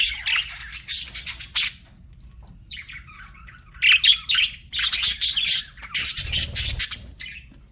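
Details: Pet budgies give separate bursts of loud chirping chatter, each a second or less of squeaky warbling, broken by quieter gaps.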